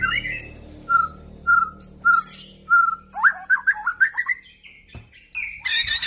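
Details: Male white-rumped shama, F-series crossbred: several clear, evenly spaced whistled notes, then a quick burst of varied rising whistles and sharp notes, with faint background hum.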